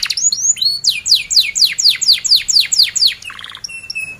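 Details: Canary song used to teach young canaries to sing: a fast series of high downslurred chirps repeated about twice a second, followed by a buzzy trill and a thin steady whistle.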